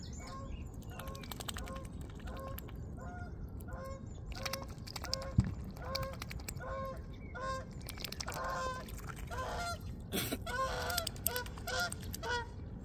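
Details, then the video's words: Geese honking in the background while a swan feeds on seeds; short nasal harmonic honks repeat rapidly and irregularly throughout, several birds overlapping, over steady low rumbling noise with a few clicks. "geese honk in the background"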